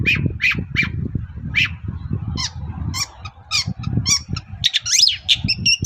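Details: Long-tailed shrike in morning song, used to make other shrikes reply: a few clear whistled notes spaced half a second apart, then a jumble of harsh rasping and squeaky phrases, with low rumbling noise underneath.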